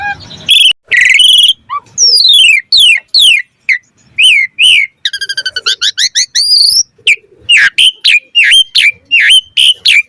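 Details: Asian pied starling singing a full, varied song meant to encourage other starlings to sing: loud whistles, rapid descending slurred series, buzzy trills and a closing volley of sharp repeated notes.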